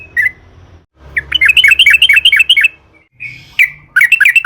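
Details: Sooty-headed bulbul in wild-style long song, used to stimulate other bulbuls: one lone chirp, then a fast run of looping two-note phrases, a brief flat whistle, and a renewed burst of quick warbling.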